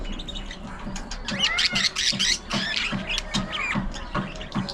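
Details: Budgerigars in an aviary colony chattering: dense, rapid high chirps and warbled squeaks overlapping, with low rhythmic thumps beneath.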